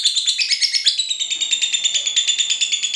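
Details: Lovebird of the Lutino (cinderella) type giving its long ngekek trill, used as a trigger to get other lovebirds singing and for song training: a rapid, even, piercing chatter of about three notes per second, steady throughout.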